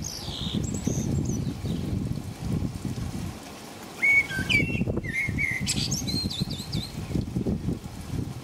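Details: Blackbird singing in the rain at night, around 5 a.m., in England: a short thin high twitter early on, then after a pause a fluting whistled phrase with scratchy high notes, set against constant low rumbling rain noise.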